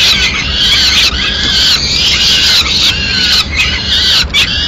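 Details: Peregrine falcon at a nest in Madrid, 29 April 2016, as the mother brings the chicks their afternoon food; loud, shrill, harmonic squealing calls run almost nonstop, rising and falling in drawn-out wails with brief breaks about once a second.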